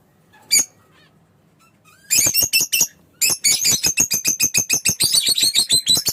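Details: Fischer's lovebird chirping: one sharp note, a pause, then a fast burst of harsh, squeaky chirps in quick succession, roughly three or four a second.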